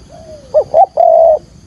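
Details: Spotted dove decoy calling for trapping in 'thúc gù' style: a faint gliding coo, then a single phrase of two short hoots and one long steady hooting note.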